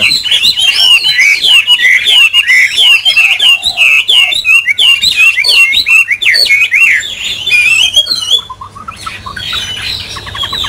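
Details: Caged Chinese hwamei, a bird not heard in a long while, pours out a rich, fast song of varied whistled phrases, slurred up and down, with rapid shifting notes and a harsher scratchy burst near the end.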